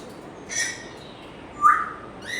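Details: Pet African grey parrot giving a harsh squawk, then a loud clear whistle that rises and fades, followed by another rough call at the end.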